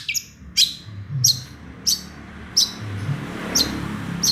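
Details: Long-tailed shrike, its song filled with small-bird mimicry, here giving sharp, high, clipped notes repeated roughly every two-thirds of a second against a faint low rumble.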